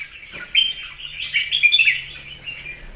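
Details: Red-whiskered bulbul singing for morning and competition, a short, rapid run of bubbling whistled notes with a soft low hum underneath.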